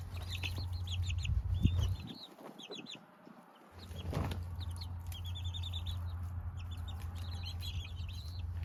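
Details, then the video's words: Young chicks giving rapid high peeping chirps in clustered bursts, with a brief muffled thump and a quieter gap partway through, steady low hum behind. "Sweet Baby Chicks!"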